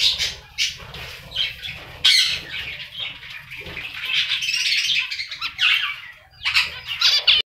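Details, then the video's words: High, rapid chirping from a black-faced finch pair, nearly continuous and overlapping, with sharp broadband bursts that sound like wing flutters or movement, over a low background hum. "BLACK FACE Finches pair"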